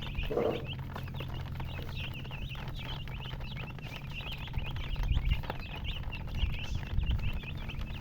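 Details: Young chickens peeping: rapid high chirps repeat steadily from a group of chicks, with a brief lower rasping sound near the start and a low rumbling hum underneath.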